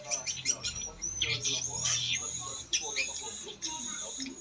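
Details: A recording of original black-nest swiftlet roosting calls, said to be genuine rather than imitated, is played back for checking: dense, high, dry twittering chirps in quick bursts, with a man's voice faintly underneath.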